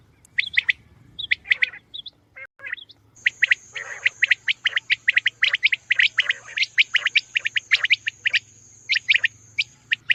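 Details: Female common quail calling, recorded for hunting. Dense runs of sharp, high, squeaky notes fill the clip, and a steady, thin, high-pitched tone runs through most of it.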